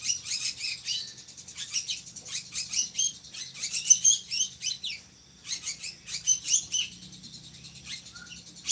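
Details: Drongo kept in Indonesia as a tutor bird for other songbirds: continuous scratchy high chattering in repeated fast bursts, with one clear pause midway and a faint whistle afterwards.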